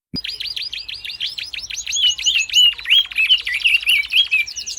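A canary sings a fast run of about fifteen high, sharply falling notes. The run gives way to a buzzy trill laced with bright whistled phrases.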